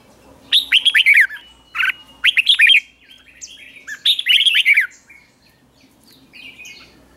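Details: Red-whiskered bulbul kept in a cage, trained to sing in the morning in the 'ché' style; loud whistled and warbled phrases in three bursts about a second apart, with softer chirps trailing off afterwards.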